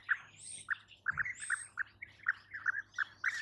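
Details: European bee-eater calling outdoors: short burry notes repeated roughly every half second, with a few thinner high squeaks drifting in between.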